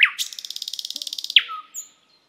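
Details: Thrush nightingale delivering a fast, rattling trill of rapid pulses for over a second, bracketed by sharp high notes and closing with a short low whistle.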